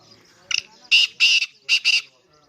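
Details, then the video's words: Black francolin (kala teetar) calling: a short harsh note, then four loud grating, scratchy bursts in two close pairs over about one and a half seconds, with faint background noise. "black teetar ki awaz"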